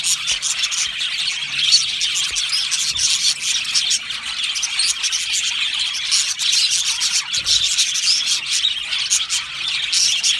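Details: Australian budgerigar colony in an aviary chirping together: a dense, continuous wash of high, buzzy twittering and chattering notes with no pauses, many birds calling at once.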